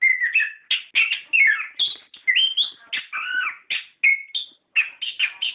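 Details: Orange-headed thrush song played to set captive birds singing: a continuous, richly varied warble mixing whistled slurs, buzzy scratchy notes and quick chips with barely any pause.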